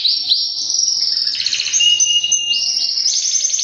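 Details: Singing white male canary, three years old: sustained high rolling trills that shift up and down in pitch, one long steady tone running through the middle, clean background.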